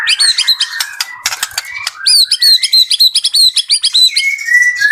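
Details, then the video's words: White-rumped shama from a bird farm singing energetically: loud rich whistles and rapid chattering notes, rising and falling phrases delivered in fast succession, with high sharp notes and a sustained whistle near the end. "MURAI BATU GACOR"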